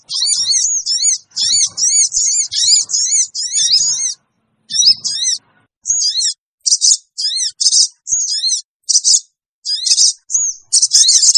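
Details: Sooty-headed bulbul lure calls meant to attract wild birds: fast runs of high chevron chirps at first, then spaced single and paired sharp notes.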